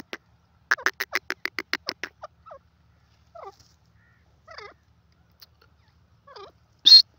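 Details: Grey francolin, or teetar, calling: a rapid run of about nine loud, harsh, evenly spaced pulses over roughly a second and a half. Fainter, scattered short notes follow, then one sharp high burst near the end.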